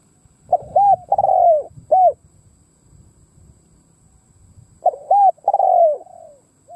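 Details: Spotted dove kept as a decoy, cooing to provoke and lure wild doves: two bursts of low, mellow coo phrases, each a few short hooting notes followed by a longer drawn-out falling coo, separated by a quiet pause.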